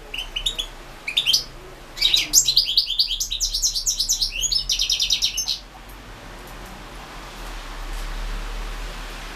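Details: European goldfinch in the 2016 internet World Championship in Goldfinch Song. A few high chirps open into a rapid, rhythmic run of tinkling, trilled notes lasting several seconds, then the bird falls silent while faint background noise continues.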